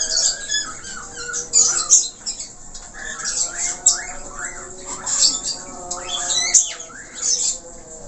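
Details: Budgerigar chattering in 'gacor' style with many filler notes: raspy squawks mixed with short arched whistles repeated at irregular intervals, plus soft background chirping.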